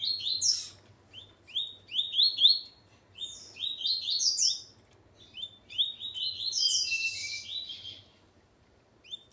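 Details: Song of a male Double-collared Seedeater with his female: repeated bursts of quick, high upslurred whistles, phrases separated by short pauses, closing with a rich buzzy twitter.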